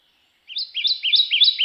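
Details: Kentucky Warbler song, a common Kentucky spring-migrant warbler: a rolling, sweet, slurred two-syllable phrase, low then high, repeated quickly about four times at an even volume, not rising.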